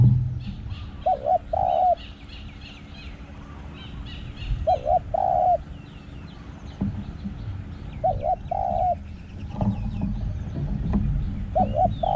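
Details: A spotted dove perched on a power line in the daytime beside forest gives soft, mellow two- to three-note cooing phrases about every three and a half seconds, over a background of high chirping small birds.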